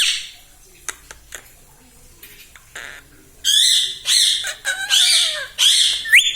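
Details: Pet parrot imitating human speech such as mummy and papa. Quiet room with faint clicks for three seconds, then loud, high, harmonic squawky syllables that rise and bend in quick bursts.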